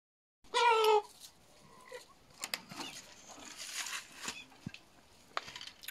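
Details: Juvenile female Indian peafowl: one loud, harmonic, nasal call lasting about half a second, followed by quieter scattered rustles, clicks and handling noises.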